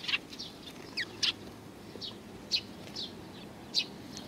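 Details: Sparrows at a Tenmangu shrine, recorded 31 May 2019, give quiet, scattered high chirps about every half second to second against a soft steady background hiss.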